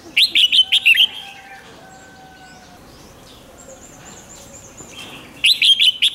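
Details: Two bouncy, whistled phrases from a red-whiskered bulbul, about five seconds apart, with thin tones and soft chirps in between; the song is played so caged birds grow excited.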